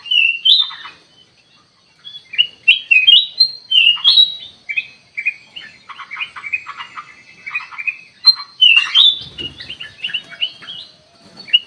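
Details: Sooty-headed bulbul played as a lure to draw a quick response from wild birds; bright chirping phrases with short rising and falling whistles, delivered in irregular bursts separated by brief pauses.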